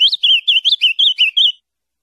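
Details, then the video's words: An Ultramarine grosbeak (azulão) sings a quick, sweet warbled phrase of about eight high slurred notes, done in under two seconds, then silence. "Cantando e Chamando Muito - Canto para Levantar Azulão"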